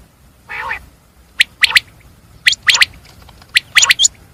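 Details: A common quail gives one low, nasal, wavering note, then three tight bursts of two or three sharp clicking notes about a second apart.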